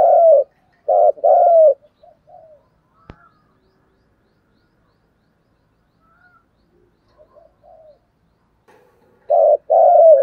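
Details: Spotted dove 'thúc gù' cooing, 'giọng thổ' style, used for luring wild doves. Two low double coos open the recording. A long near-silent stretch with a few faint soft notes follows, and another double coo ends it.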